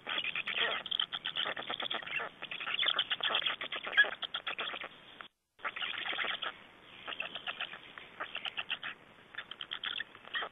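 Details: During a nest exchange and feeding at a black stork nest in Estonia on 3 June 2011, long, hoarse, chattering pulse trains go on nearly nonstop. There is a brief silent gap about halfway through.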